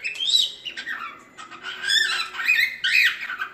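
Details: Singing cockatiel used to teach chicks its song, giving a continuous squawky warble of rising and falling chattered notes mixed with short harsh squawks, apparently indoors.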